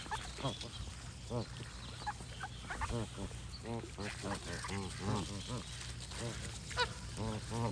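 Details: Geese honking in a busy chorus, nasal harmonic honks rising and falling in quick overlapping runs, with higher chirps from other birds and a steady low rumble underneath.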